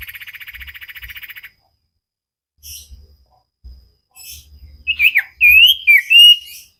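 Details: Lively common iora singing, recorded for cage-bird training: a rapid buzzy trill that stops, a pause with faint clicks and knocks, then loud slurred whistles that rise and fall.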